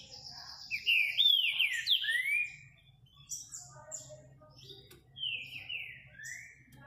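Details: Green-winged saltator, called trinca-ferro verdadeiro, singing clear whistled phrases with sliding, descending slurs, a loud opening phrase followed by quieter answering whistles and a faint low hum.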